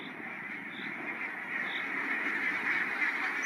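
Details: Barnacle geese at a migration stopover on the meadows of Matsalu National Park, Estonia; a dense, continuous chorus of many overlapping yapping calls from a large flock, steady and fairly distant, with brief higher notes now and then.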